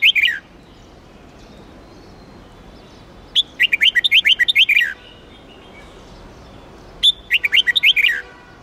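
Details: Red-whiskered bulbul of the Huế type, trained for singing contests, giving a drawn-out voice to fire up young birds: bursts of bright, warbled, rapidly alternating high notes lasting about one and a half seconds, separated by quiet pauses of two seconds.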